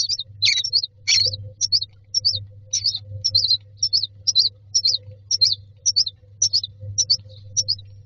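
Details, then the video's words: Myna nestlings begging for food in a nest box: short high, buzzy chirps repeated about twice a second in a steady series, louder harsh notes at the start, low hum behind. "Babies bird asking for food"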